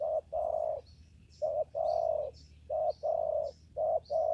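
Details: Spotted dove cooing in a papaya garden where birds are being trapped with a lure; loud, mellow low coos, a brief note then a longer sustained one, repeated steadily, with soft high bird chirps in the background.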